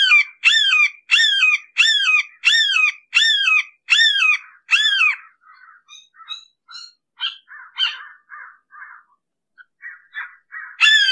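Red-shouldered hawk giving a run of eight loud, harsh, downslurred kee-ah screams about twice a second, followed by softer, scattered chirping notes.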